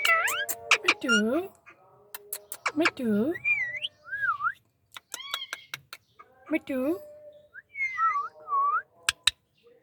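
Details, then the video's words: Pet Indian ringneck parakeet talking indoors: short speech-like syllables mixed with rising and falling whistles, bright harmonic chirps and sharp clicks, with brief pauses between bursts. "talking parrot Mithu | indian ringneck"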